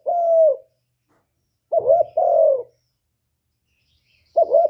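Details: Spotted dove call meant to provoke wild doves: a long even coo, then a short-and-long coo pair, then a final brief coo, spaced by gaps of over a second, otherwise quiet.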